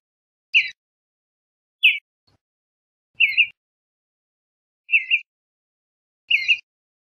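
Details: Western bluebird calling: five short, soft whistled chirps near the same pitch, each with a faint higher overtone, spaced about one to one and a half seconds apart over quiet silence.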